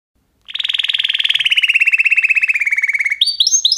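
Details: Canary singing: after a brief silence, a rapid pulsed rolling trill glides slowly downward for over two seconds, then breaks into short, higher, upward-flicking whistled notes.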